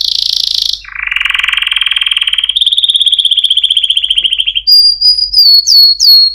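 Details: Canary song: a high buzzy tone, then long evenly pulsed rolling trills stepping between pitches, ending with bright quick rising whistled notes.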